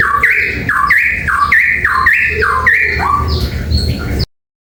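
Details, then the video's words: Papuan beach bulbul giving loud, rich whistled phrases, each a quick rising-then-falling note repeated about five times in four seconds, before the sound cuts off abruptly. "Cucak Pantai Papua suara tembus"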